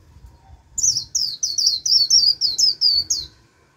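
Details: Lure white-eye luring wild birds, a whole flock arriving and singing back in líu style: a fast, steady string of about ten high, down-slurred chirps, roughly four each second.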